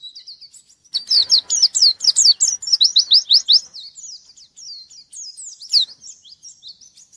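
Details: White-eye challenging a rival with a fast run of bright, rising chirps, followed by looser, sparser high twittered phrases.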